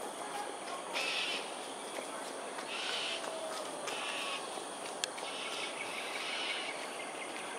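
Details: Cockatoos in an aerial display at Sungei Ulu Pandan, Singapore, morning of 13 January 2022. Four or five rough, scratchy screeches are spaced a second or two apart, with a sharp click and constant insect hiss.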